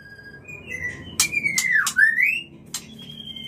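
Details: White-rumped shama call used to bring on breeding: long sweeping whistles sliding down then sharply up, a clear level whistle later, mixed with sharp clicks and a low background hum.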